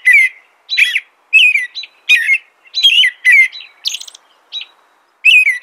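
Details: An American robin sings a run of rich warbling phrases, roughly one every half second, alternating lower slurred whistles with higher thin squeaky notes.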